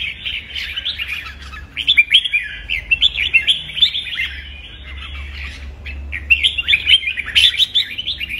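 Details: Red-whiskered bulbul giving a fired-up fighting song used to train birds: fast, chattering run of bright warbled whistles, in two dense bursts with a softer stretch between.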